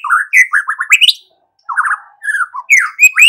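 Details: Lively white-rumped shama song meant to stir other shamas: bursts of rapid, warbled notes and rising slurs, a one-second pause, then more varied whistles and upward flourishes.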